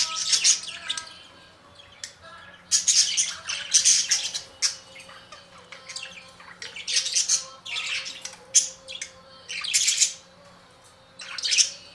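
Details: Budgerigars chattering: busy, high, scratchy squawks and chirps in overlapping bursts, with brief pauses between flurries, plus a faint steady low hum in the room.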